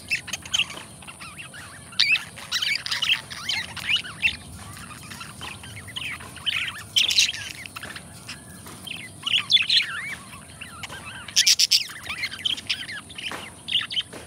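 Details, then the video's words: Two pet budgerigars sing a continuous, busy warble of chirps, squeaks and scratchy notes, hardly pausing throughout, with occasional louder sharp clicks. "Budgie Sounds: Birds Singing You to Sleep"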